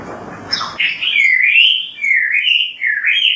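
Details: Kacer, the Oriental magpie-robin, giving a clear, sweet whistled phrase that rises and falls in smooth waves, after a short burst of low noise at the start.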